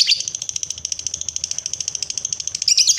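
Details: Lovebird singing the long 'ngekek' trill, used as a prompt to get other lovebirds trilling: fast, evenly pulsed high chattering notes running unbroken for about three seconds, ending in a harsher burst.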